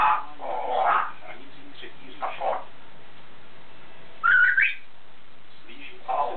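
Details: A grey parrot, said to have a richer vocabulary but reluctant to talk and showing off instead, gives a few short, throaty, speech-like mutterings and one clear upward-sliding whistle, with quiet pauses in between.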